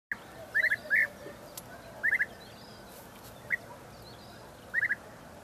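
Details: European bee-eaters at Balta, 2 May 2018: liquid, rolling 'prruip' notes, mostly in quick groups of two or three, spaced a second or more apart, over a steady soft hiss.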